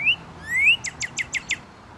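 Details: Northern Cardinal in a backyard, calling to others with a "burrito, burrito, pew, pew, pew" pattern: two clear, rising whistled slurs, then five quick, bright downslurred notes at about six per second, over a faint low hum.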